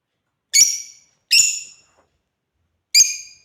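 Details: Three loud, shrill, falling chirps from African lovebirds at play, the first two close together and the third after a gap of about a second and a half.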